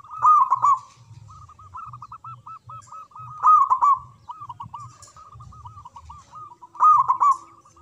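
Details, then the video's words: Local zebra dove singing from a high perch with a big voice: loud rolling cooed phrases roughly every three seconds, with a chorus of softer looping coos from other doves in between. "Perkutut Lokal Gacor Suara Besar Manggung"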